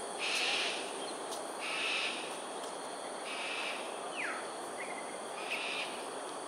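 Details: Aerial display of cockatoos over Sungei Ulu Pandan, Singapore, 13 January 2022 at 7.43am. Four harsh squawks are spaced over six seconds, with a brief descending whistle from another bird between them.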